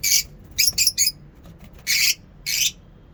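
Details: Lovebirds in a mini zoo in the morning giving loud, harsh, shrill chirps: a single note, a quick triple, then two longer rasping calls spaced apart.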